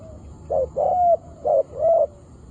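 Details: Spotted dove, a decoy facing a wild bird during trapping, utters four soft, rounded coos, short then longer, in two pairs, the longer notes slightly rising and level; quiet background.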